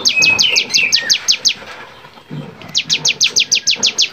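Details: Bar-winged prinia singing in full voice, a training recording for songbirds: a fast run of sharp, downward-sweeping notes at about three per second, a short pause, then a second matching run.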